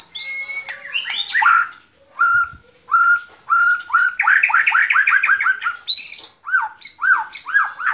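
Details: Loud white-rumped shama song of clear whistled notes, including a quick run of repeated arching whistles at mid pitch and several higher rising and falling slurs.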